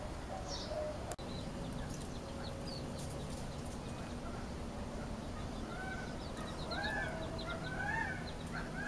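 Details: Gambel's quail family with chicks in Arizona giving soft, short arched notes and thin high peeps, loosely repeated about once a second, over steady low background rumble.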